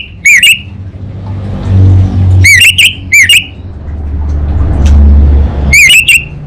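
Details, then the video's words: Orange-headed thrush from North Bali, Indonesia, giving loud, sharp, harmonic whistles that dip and rise, in scattered pairs and singles separated by pauses, over a rumbling engine-like background. "ANIS BATA Berkicau Gacor"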